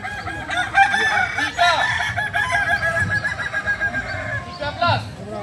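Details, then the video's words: Kukuak balenggek chicken crowing during a training competition: several stepped, rising-and-falling crow phrases, loudest near the start and again toward the end, with people talking and other fowl calling in the background. "Ayam kukuak balenggek .. akb ... Latpres di AMKO"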